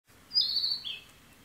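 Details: Bird singing on June 28: one clear, high whistled note held briefly and sliding downward, followed by a shorter, lower whistle, over a faint steady background hiss.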